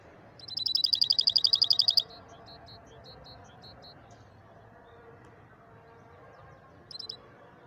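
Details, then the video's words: European goldfinch in the Moroccan maestro style: a fast buzzy trill of about fifteen pulses, then a few spaced soft chirps, a long hush with steady background noise, and a short final trill. "أفضل تغريد لمايسترو مغربي"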